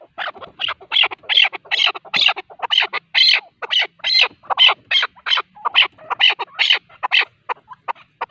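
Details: Male partridge giving its hunting call: a long, busy series of loud, raspy chattering notes in uneven pairs and triplets, running continuously for over eight seconds.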